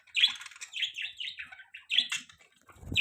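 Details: Budgerigars as caged pets giving rapid, scratchy chirps and squeaky notes in a steady run of short bursts, ending with a low thump or wing flutter.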